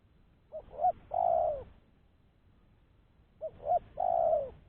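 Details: Trapping lure call of a spotted dove, recorded clean: a soft double coo, then a longer mellow coo dropping in pitch, heard twice with a gap of about two seconds.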